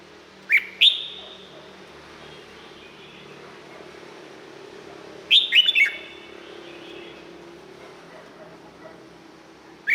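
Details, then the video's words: Red-whiskered bulbul kept as a cage bird in Thailand sings brief, widely spaced whistled phrases of a few slurred notes each. A low steady hum runs underneath. "เสียงนกกรงหัวจุก สำหรับต่อ หรือ เปิดให้นกคึก เสียงเพราะๆ"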